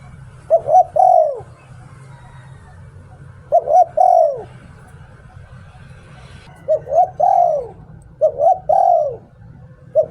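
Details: Decoy spotted dove giving 'Liu Tan' style song, four full phrases at irregular gaps of about two to three seconds, each quick coos leading into a drawn-out falling coo, with another phrase starting at the end; low rumble behind.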